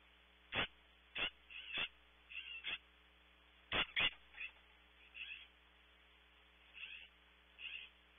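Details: California scrub jay calling outside a nest cavity at Audubon Starr Ranch, California: loud, harsh, rasping notes, single or in quick pairs, with softer scratchy calls between, over a steady low electrical hum.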